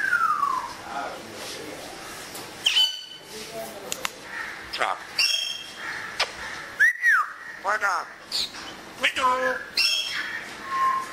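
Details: Pet African grey parrot enjoying the weather, mimicking Urdu and Pashto words, whistles and household sounds: a falling whistle, short speech-like phrases, rising-falling whistled notes and a quick burst of clicks.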